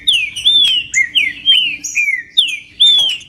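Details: Green-winged saltator song meant to warm up a cold bird: about seven loud, clear whistled phrases, each arching up and sliding down, delivered at a steady pace with faint high notes above.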